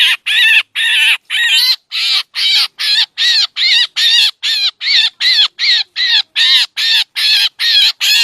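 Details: Lure recording of a drongo used for bird trapping. Rasping, broadband squawks follow one another steadily, roughly two to three per second, with no other sounds.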